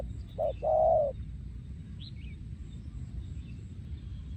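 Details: Breeding male spotted dove from Thailand, 2023, singing in the style called yon khu ang: two low cooing notes, a short one then a longer one, then quiet with faint background rustle.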